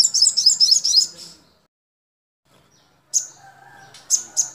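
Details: Sogon song used as tutor material for caged sogon birds: a burst of sharp, high chirps in quick succession, a pause, then scattered single high chirps over a faint lower whistling in the background.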